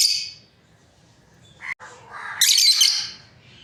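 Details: Harsh high squawks from a breeding pair of lovebirds: an opening screech, a short squeak, then a longer rasping, buzzy squawk that tails off.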